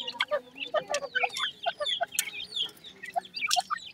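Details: Grey francolin (teetar) chicks with a new pair, sounding bright descending peeps, some paired, repeated irregularly over a soft low background hum.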